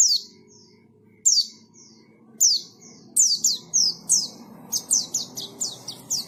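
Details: White-eye (pleci) giving high, thin, downslurred chirps, first singly with long gaps, then in a faster repeated run of sharp notes over faint low background noise.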